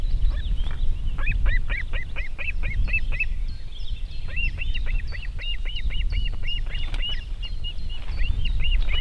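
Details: Osprey calling at a nest in Võrumaa, South Estonia, 2021, with a river and fish farm nearby: long runs of rapid, high, arched whistled chirps, a pause, then another rapid series over a low steady rumble.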